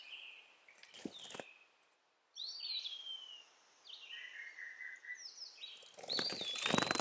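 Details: A rescued baby sunbird found in a backyard, being hand-fed orange and mealworms, gives thin, high chirps and short sliding whistles in quick uneven bursts, with some rustling and handling noise.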